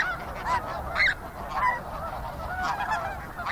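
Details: A fairly busy snow goose flock calling, with overlapping nasal honks and yelps from several birds, some loud and close, others distant, coming about twice a second.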